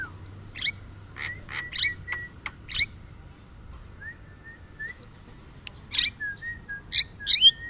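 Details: Javan myna: bursts of harsh, rasping notes with level whistles, a quiet pause, then soft whistled notes and further loud grating bursts.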